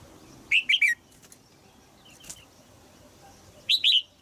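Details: In Thailand, a caged female red-whiskered bulbul calls to urge a young male into song: a burst of three clipped, down-slurred chirps, a soft faint note midway, then two more chirps near the end.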